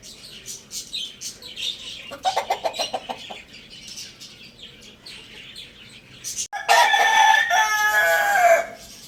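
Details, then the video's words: Lohmann Brown rooster crowing at Lalukhet bird market: after a burst of rapid clucks, a powerful harmonic crow of about two seconds ends on a falling note, with busy bird chatter throughout. "Rooster Crowing Compilation | Rooster Crowing Sound Effect"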